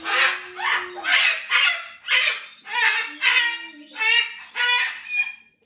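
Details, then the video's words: Two pet cockatoos in an evening duet, harsh broad squawks repeating almost twice a second, with a low steady hum beneath some of the calls. "The Crazy Cockatoos - Duet Before Bed"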